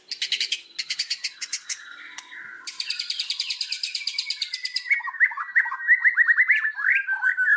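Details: White-rumped shama from Indonesia, a murai batu pancingan recording meant to make birds sing hard: harsh buzzy rattles in bursts, then a rapid run of sharp rising whistled notes.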